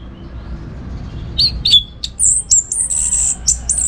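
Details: Orange-headed thrush song for training birds for contests: a few sharp, downslurred notes followed by sustained, very high, thin buzzy whistles broken into short bursts.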